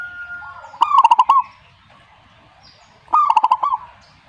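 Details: Answering song of a zebra dove, called perkutut: two phrases of deep pulsing coos, each opening with an upward coo and rolling into rapid beats, spaced about two seconds apart, with faint chirps between.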